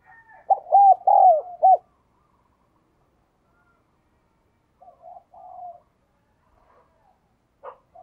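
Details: Spotted dove decoy calling: one quick four-note coo phrase of low hoarse arched notes near the start, then long quiet gaps with fainter, more distant cooing later.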